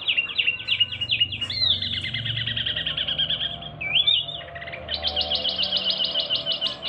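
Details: Male local Javanese wambi mini in full song: long runs of rapid, trilled, chattering notes changing pitch, a brief twisting whistle, then a fast high repeated trill, with steady low hum behind.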